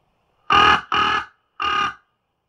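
Common raven giving three harsh, rasping croaks: two in quick succession, then a third after a short pause. Nothing else is heard.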